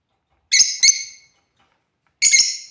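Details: Lovebirds at play: a quick double chirp, harsh and piercing, then after a short gap a stuttered chirp, all bright and high-pitched.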